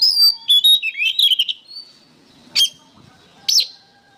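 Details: Oriental magpie-robin singing for songbird training: a quick run of sweet whistles and slurred notes fades to near silence. Two isolated sharp clicks follow.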